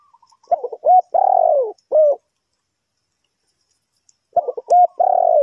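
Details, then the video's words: Two loud phrases from a spotted dove used in trapping, separated by about two seconds of silence. Each has quick stuttered opening notes and a long, throaty coo sliding downward, with a short coo after the first. "The Sound Of the dove"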